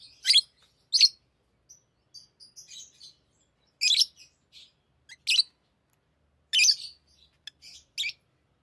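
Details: Pet lovebirds playing with rings give piercing single chirps every second or so, loud sharp notes separated by faint soft twitters and silence.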